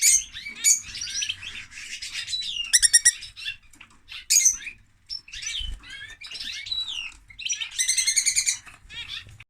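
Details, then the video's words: Male lovebird chattering continuously: rapid, high, squeaky twitters and buzzy chirps in dense bursts, with harsh, rasping, stacked notes around the third and eighth seconds and only brief pauses between phrases. "Love Bird singing (Lovebird)"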